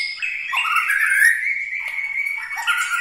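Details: White-rumped shama, murai batu of Medan, Bahorok, Bukit Lawang, holding a long level whistled tone decorated with quick dipping slurs and short flicked accents.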